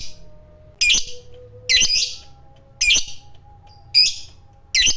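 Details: Lovebird of the fighter type, used as a lure to set other lovebirds singing: harsh, buzzy chattering bursts repeated about once a second, each under half a second, with a faint low hum underneath.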